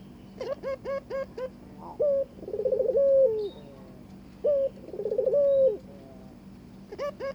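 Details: Barbary dove coaxing its mate to breed: a run of five quick clipped notes, then two rolling, vibrating coos that each rise briefly and trail off downward, and more short notes at the end.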